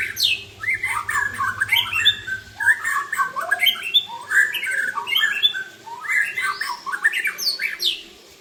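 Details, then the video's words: White-rumped shama, Aceh type with 'klewer' tail, in luxurious 'isian' song: steady series of swooping whistled phrases mixed with sharp chips, repeating roughly every second, with a low hum early on. "Murai Aceh Ekor Klewer isian Mewah"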